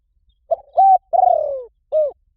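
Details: Spotted dove calling, as used to attract wild doves: a four-part cooing phrase with a short note, a steady coo, a long pulsing falling coo and a clipped final coo.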